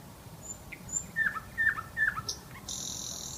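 Nightingale song: three matching short, sweet down-slurred notes about every half second, a few thin high whistles, then a dry buzzy phrase at the end.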